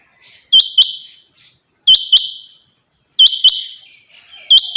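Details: Loud, piercing calls of a female rain quail. Each is a double-clicked, buzzy high note that fades away, repeated four times at steady intervals of roughly 1.3 seconds, with silence between.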